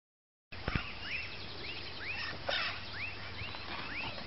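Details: Northern red-shouldered macaw calling: short arched notes that rise then fall, repeated roughly every half second in a loose series, over steady low background noise.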